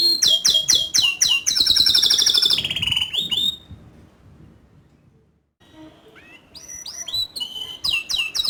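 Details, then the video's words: Canary singing energetically: rapid repeated high trills and a rolling run of notes, a brief pause, then fresh sweeping whistled phrases climbing and falling. "Kenari Gacor Ngerol Nembak Suara Kicauan nya ISTIMEWA"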